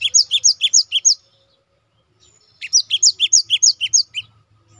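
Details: Cinereous tit singing as a training recording for caged songbirds: two bursts of clear, high two-note whistled phrases, each repeated about six times in quick even rhythm, separated by a short silence.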